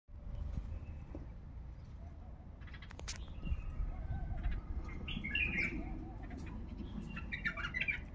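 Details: Caged male bulbul from Baghdad, kept for its heavy, deep voice: short warbled phrases around the upper-middle range, bursting in from the fourth second over steady low rumble and a man talking at the start.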